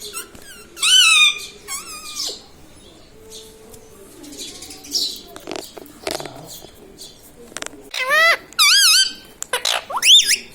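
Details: Pet parrot speaking at home; short harmonic, wobbling word-like bursts at the start and a cluster of loud swooping syllables toward the end, quieter clicks and rustles between.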